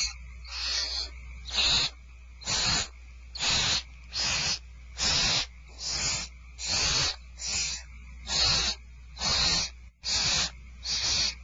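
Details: Barn owls at Starr Ranch as food is served, 2/1/12: a steady series of about twelve rough hissing screeches, spaced roughly a second apart and evenly loud, with a constant low electrical hum.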